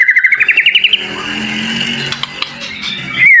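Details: White-rumped shama song of dense, sharp, high-pitched fills meant to prompt other shamas to sing. A fast, rising trill of about ten even notes comes first, then a blurred, noisy stretch and a final bright upslurred whistle.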